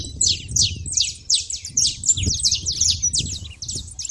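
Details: Chattering saffron finches at a feeder give dense runs of high, clipped chirps and short twitters in quick, irregular succession, with soft low background noise between bursts.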